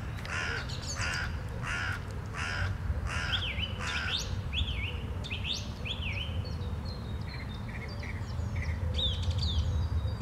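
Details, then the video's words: Song thrush singing on a Sunday morning, 11 April 2021: a bright phrase repeated four times in steady pulses, then clear rising whistled notes given in threes, over a constant low rumble. "Śpiew drozda śpiewaka w niedzielny poranek"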